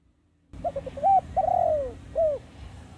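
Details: Trapping lure of a spotted dove singing: brief stuttered coos, a loud rounded note, then a sustained coo sliding downward and a closing short coo, with steady low-pitched background noise throughout.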